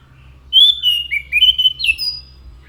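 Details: Orange-headed thrush singing a fluent phrase of clear whistles that dip, rise and end on a higher sustained note.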